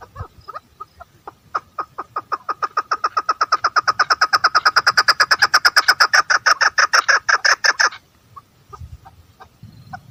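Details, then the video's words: Female chukar partridge calling: a rapid series of harsh chuck notes building from scattered clucks into a fast, steady, loudening rattle for about six seconds, then stopping, followed by a few single notes. "female partridge voice|mada chakor ki awaz|keklik sesli"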